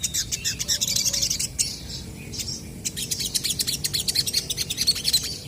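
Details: Lively crested jays replying to each other with two bouts of rapid, high, rattling chatter. Each run of quick metallic clicks is separated by a short pause with softer notes.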